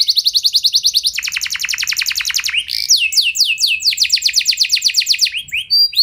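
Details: Canary song for stimulating other canaries to sing long rolls; rapid trills in several pitch levels, a few sweeping notes, then another fast roll of bright descending notes.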